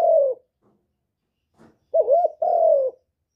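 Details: Spotted dove cooing, played to stimulate other doves: a short low coo, a pause, then a wavering coo and a longer, slightly falling drawn-out note, all low and clean.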